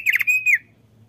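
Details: Male thick-billed white-eye, said to be a keen singer, gives a quick burst of three harsh notes followed by a longer level whistle and a falling slur.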